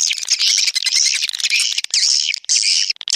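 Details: Swiftlet house lure sound of Indonesian origin called SP Anak Gembala, an outdoor type used in Sóc Trăng and Đắk Nông: dense, continuous high chirping and twittering with buzzy rising and falling notes, briefly broken by short gaps.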